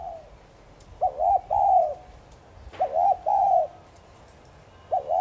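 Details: Spotted dove thúc gù coo used to excite other doves into calling: repeated phrases roughly every two seconds, each a clipped double coo running into a longer, level, rounded note, in a quiet setting.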